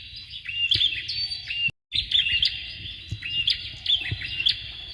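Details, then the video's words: Male and female Bar-winged prinias, used as a training recording to provoke and teach future champion competition songbirds; rapid, sharp, high chirping notes in dense repeated bursts, with a brief silent cut partway through and faint low background rumble. "BURUNG PRENJAK JANTAN DAN BETINA SIAP UNTUK MASTERAN PANCINGAN CALON JUARA"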